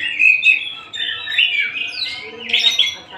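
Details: Oriental magpie-robin of the Tasik type singing freely: bright whistled phrases sliding between mid and high pitch, with short warbled notes running together in a rich, varied flow.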